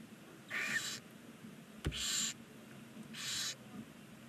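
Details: Barn owl chicks, nine of them at nineteen days, in a chimney nest box in Ságvár, Hungary; three loud, wheezy hissing bursts about a second apart, with one sharp click between.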